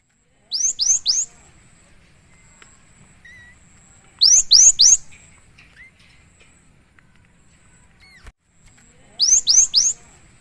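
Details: Cinereous tit (gelatik batu) in vigorous song for training and lure use: three bursts of three fast upslurred whistles, spaced roughly four seconds apart, with faint background notes.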